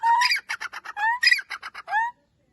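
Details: Francolin calling: a loud whistled note, a quick string of harsh, clipped notes, another rising whistle, more rapid grating notes and a final upward-slurred whistle, then silence.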